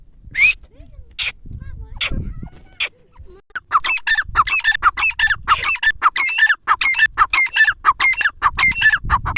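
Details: Grey francolin, called teetar, from Dera Ghazi Khan, Pakistan: human voices and scattered single notes open the recording, then a fast, loud series of harsh repeated calls takes over for the last half.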